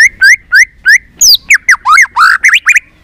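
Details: White-rumped shama song meant to stimulate singing: four evenly spaced, upslurred whistles, then a fast, tumbling sequence of louder, swooping and harsher notes.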